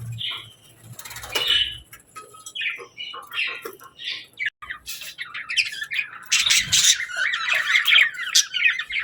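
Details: Happy pet budgerigars chirping while eating their favourite food: short chirps and warbles at a lively, uneven pace, building to a dense chattering flock toward the end, with faint low room noise.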